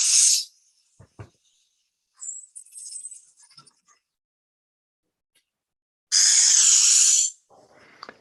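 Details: Young Burrowing Owls in their nest burrow give the juvenile alarm call, a harsh rattlesnake-mimicking hiss heard only close to the burrow to warn intruders off: two loud bursts, one brief and one about a second long, faint scratches between.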